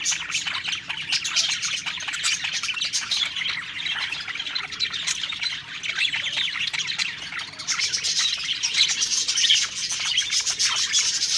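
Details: Budgerigars singing happily as they eat: a busy mix of squawks and twittering chirps, with the chatter growing louder and denser toward the end.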